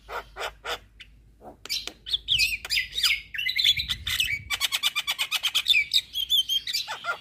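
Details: Javan myna in full, nonstop song on a songbird training recording: separate chips, then a dense stretch of buzzy chatter, and finally a fast rattling run of repeated notes with high whistles on top.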